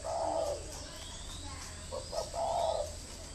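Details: Captive decoy spotted dove gives two brief, breathy coos separated by a short gap, with soft voices and hum behind.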